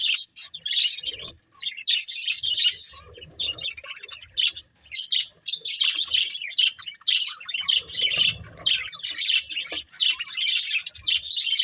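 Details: Playing budgies chatter nonstop in rapid high twittering, with squeaky notes and scratchy bursts, short pauses near two and five seconds, soft low thumps underneath.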